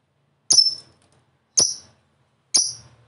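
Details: Lovebird of the fighter type, kept as a songbird, from a recording meant to provoke other lovebirds into singing: three short, shrill, high chirps about one second apart, each sharply falling away, with silence between.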